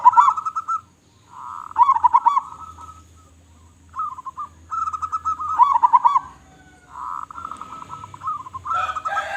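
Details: Local zebra dove, a vocal bird with a big voice, used as a lure call: rapid pulsed, trilled coos in the mid range, phrases of about a second repeated with short pauses, with a brief noisy burst at the end.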